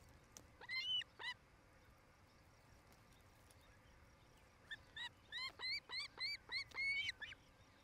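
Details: Nest-cam recording of osprey at a nest in Charlo, Montana, on 07-08-2018 in the evening hour: an opening pair of clear, upslurred whistled chirps, a pause, then a fast run of about eight ringing chirps.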